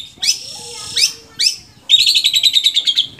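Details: Captive long-tailed shrike from Indonesia giving broad, scratchy notes that rise steeply, then a rapid chattering trill of about a dozen pulses lasting over a second.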